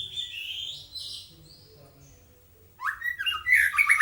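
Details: White-rumped shama, a young bird under hard training, gives high wavering whistles, falls quiet for over a second, then bursts into a loud rich phrase of rising whistles and rapid chattering notes.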